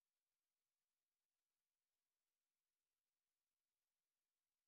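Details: Near silence throughout, with only a very faint, steady hiss and no animal calls.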